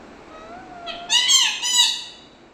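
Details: Pet parrot from Kerala, India, talking in Malayalam: a faint low whistle, then a loud rising and falling harmonic phrase of two or three voice-like syllables, indoors.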